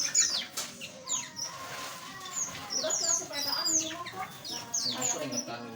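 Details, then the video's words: Small aviary birds chattering, with high squeaky tweets and downward-slurred notes coming in quick succession over a steady low background rumble. "Suara Burung Asli - Jenis Burung Aviary Kecil"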